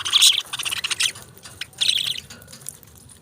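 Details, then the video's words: Budgerigars, pet parrots, giving bursts of harsh, buzzy chirps around the first second and again near two seconds, with quieter chatter between. "Beautiful Chirping Sounds Of Tiny Titans"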